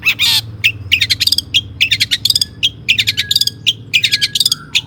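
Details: Long-tailed shrike (cendet) singing, played as a lure so other shrikes sing: quick bursts of high clicking chips and short trills, separated by brief pauses, with a scratchy opening note.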